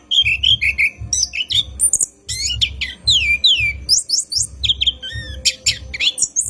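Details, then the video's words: An orange-headed thrush sings at night for training cage birds: rich, rapid phrases of clear whistled notes, some sweeping down and others rising steeply, delivered continuously over a soft, pulsing low thump. "PANCINGAN ANIS KEMBANG GACOR MALAM HARI | NGEROL PANJANG COCOK UNTUK PANCINGAN ANIS"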